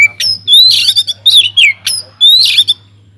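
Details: Singing white-rumped shama kept in an aviary, a recording for luring other birds to sing: rich rapid phrases of clear whistles sliding down and harsh buzzy notes, loud and close, over a faint low hum.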